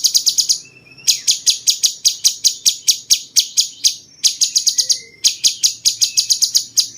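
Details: Cucak cungkok bulbul whose song, likened to a cucak jenggot, serves as a model for training contest songbirds: dense bursts of rapid, piercing high chips in phrases lasting one to three seconds.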